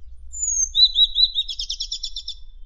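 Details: Madagascar magpie-robin song for contest-bird training: a thin high whistle slides down, then a wavering whistled line leads into a fast, buzzy double-pitched trill lasting about a second.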